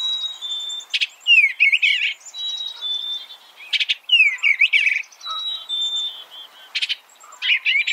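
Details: Eastern bluebird phrases of down-slurred, warbling notes, about three groups in all. A steady high whistle and sharp chips from other birds are heard between them.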